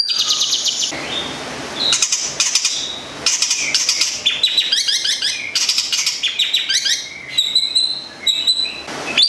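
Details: Long-tailed shrike from Gedong Songo, Central Java, kept as a cage songbird, delivering a long varied song of high trills, buzzy bursts and quick stacked notes in dense phrases with short pauses.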